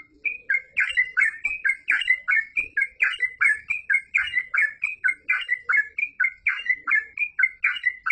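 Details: Yellow-vented bulbul (trucuk) in full, lively song: a long run of loud bubbling, liquid whistled phrases, each rising then dipping, repeated almost every second with no pauses, clean and free of other sounds.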